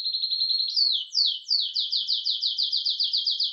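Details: Excited male canary singing, a song offered to prompt a silent male canary into singing; a fast high trill gives way to sweeping slurred notes and then an even, rapid series of repeated downward-swooping syllables.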